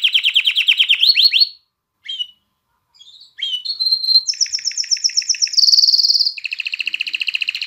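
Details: A canary sings to excite hens to mate and prompt young birds to sing: fast rolling trills, a pause broken by soft chips, then a whistle and a run of high rapid tours that drop to a lower, steadier trill.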